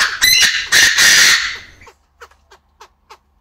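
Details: Aviary-kept male Chinese francolin crowing, with a female clucking: a harsh, loud, rattling crow of two strong bursts that fades out, followed by soft, short clucking notes about every third of a second.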